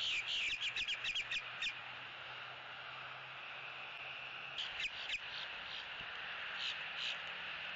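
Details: Eagle at its Southwest Florida nest on October 6, 2017, nest building and bonding; a quick series of high chittering notes opens, then silence, then two brief clusters of similar notes, all over steady hiss.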